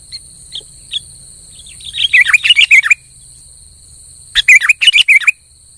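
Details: Kutilang (sooty-headed bulbul) in lively gacor singing, played to provoke a quiet bulbul into song: a few soft scattered notes, then two bursts of quick, bubbly, fluty whistles lasting about a second each, over a steady high faint hum.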